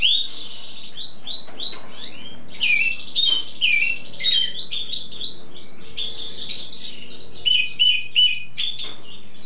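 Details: Spring bird, an easy singer kept as a cabresto, showing song for hours on end: long varied medley of rising whistles, fast buzzy rattles and twittering phrases, with faint room hum beneath.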